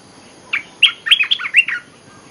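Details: Olive-winged bulbul giving a lure song, a rapid tumbling run of warbled, chirpy notes, loud and bright, lasting about a second and a quarter, with soft steady background hiss.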